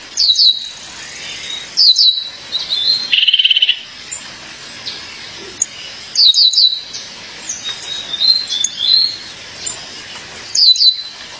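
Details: Female violaceous euphonia calling her mate: clusters of sharp high descending notes in quick groups, a buzzy rattling trill near three seconds, softer thin whistles between, repeated bursts across the recording.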